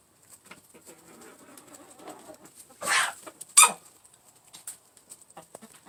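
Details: Eight-month-old laying hen sneezing as she eats from a trough: two abrupt, breathy bursts about a second apart amid low, soft clucking and light pecking taps.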